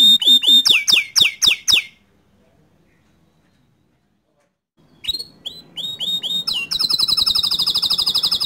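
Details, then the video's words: Green canary song used for tutoring young birds: a burst of rapid downward-swept chirps, a two-second silence, then rising whistles and a sustained rolling trill. "Kicau Kenari Hijau Botol Untuk Masteran kenari Paud & Bahan"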